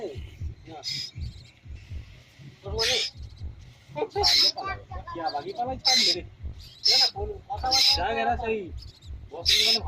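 A young Asian koel gives harsh, high screechy bursts, roughly one every second or so, while a person talks nearby.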